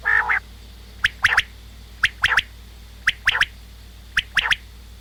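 Common quail giving sharp, liquid three-note phrases, 'whip, whip-whip', repeated about once a second; a brief nasal note opens the recording.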